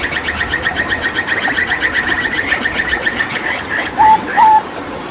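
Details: Hooded butcherbird from Papua, kept as a tutor bird during water therapy, sings vigorously with "tembakan" phrases: a rapid buzzy, harmonic chatter for about four seconds, then two clear, level whistles, each under half a second.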